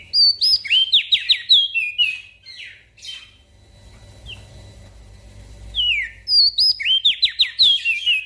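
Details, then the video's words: Energetic gacor song of a Javan grey-throated white-eye used to train small birds: rapid series of swooping whistles, a quieter middle with low hum, then another fast run of bright slurred notes. "Opior Jambul Gacor Untuk Masteran Burung Kecil"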